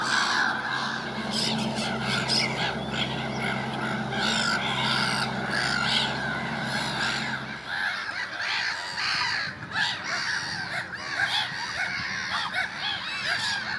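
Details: Gulls in early spring: a dense mass of overlapping harsh, squealing cries, with a steady low hum underneath for the first eight seconds.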